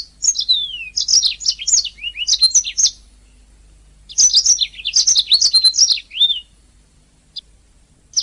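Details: Canary singing on a training master recording: two long phrases of high, varied chirps, falling whistles and quick trills, then a few isolated notes.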